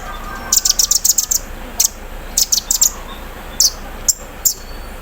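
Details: Caged sunbird put out in the morning dew, singing its learned 'embroidery machine' song: rapid bursts of high, sharp chirps in quick runs, separated by short pauses, with a few single notes later.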